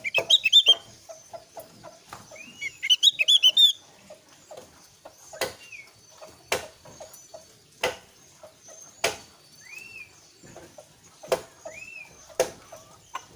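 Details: Javan grey-throated white-eye used to draw answering song from untrained birds: two quick bursts of high twittering chatter early on, then sparse arched whistled notes among loud, regular knocking clicks.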